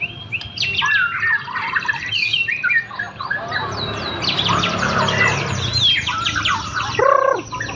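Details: White-rumped shama champion tested at street level, singing a busy run of squeaky chirps, slurred whistles and buzzy rattles, with a low background hum of street noise throughout.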